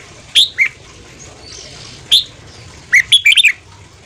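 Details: Red-whiskered bulbul singing in the morning in the fast 'ché' style, used to stir up wild birds. Bright whistled notes in short bursts: a pair, a single note, then a quick run of five or six, over a quiet hiss.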